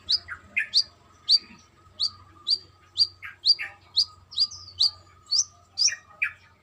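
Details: Busy brown-throated sunbird trotol song, female calling male: quick alternating high chips and lower buzzy notes, repeated about twice a second in a steady chattering rhythm.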